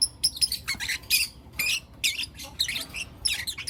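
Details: Lutino lovebird young, four of them, calling in the morning with shrill, rasping high chirps in rapid uneven bursts, brief gaps between volleys.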